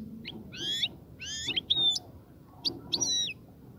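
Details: Male-style courtship song of a European goldfinch, given to stimulate the female to mate and nest; bursts of ringing, rising and falling whistled notes with nasal twangs, in short phrases separated by brief gaps.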